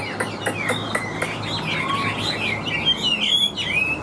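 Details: Wild-caught Chinese hwamei with a reportedly strong, loud voice. Sharp clicks and ticks open the recording, then the bird launches into a rising, fluid series of bright whistled and warbled phrases.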